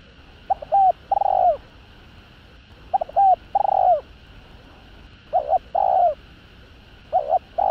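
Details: Spotted dove in a full calling, urging and cooing routine meant to rouse rival males: four phrases, each short stuttered notes leading into a drawn-out, falling hollow coo, about two seconds apart.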